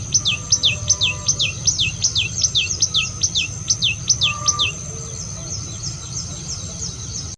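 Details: Rapid, regular high descending chirps, roughly two per second, run for several seconds then fade, with a low rumble and faint other notes behind.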